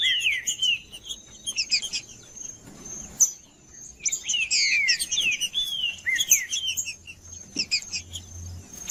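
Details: Green-winged saltator singing macheando, a male-style song played to heat up other saltators. It gives loud, slurred whistled phrases that rise and fall, in bursts with short pauses. A steady high whine runs underneath, with faint low hum.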